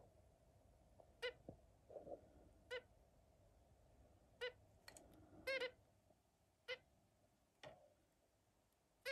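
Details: Zebra finches playing together give short, nasal, toy-trumpet beeps, about seven spaced irregularly over nine seconds, in a quiet indoor room with faint background hum.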